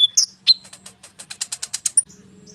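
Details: Lively konin bird song meant to set off sunbirds: a few whistled notes, then a fast run of about ten crisp ticking notes, ending abruptly.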